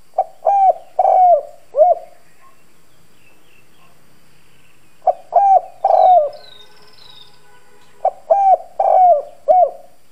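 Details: Spotted dove decoy cooing hoarsely in 'đồng' style to make wild doves react. Three four-note coo phrases spaced a few seconds apart, with thin high chirps from other birds in between.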